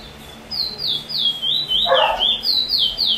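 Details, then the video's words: Trinidad chestnut-bellied seed finch ("bullfinch"), recorded 22 June 2020, singing a "chee chor weet sweet roll" song: a rapid run of clear, down-slurred whistled notes, about four a second, with a brief lower buzzy note midway. "bullfinch chee chor weet sweet roll"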